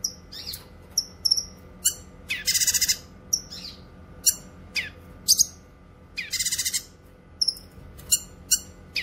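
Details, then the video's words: Singing cucak kinoy, offered for training pet songbirds and luring wild birds: quick high chirps and short whistles alternating with two loud rapid rattling bursts, repeated over several seconds against a faint hum. "Masteran suara burung CUCAK KINOY gacor cocok untuk masteran dan pikat"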